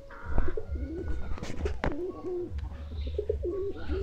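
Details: Pigeons while eating, giving low, wavering coos, several short stepped notes in a row over a steady low rumble, with a few sharp taps and clicks in between.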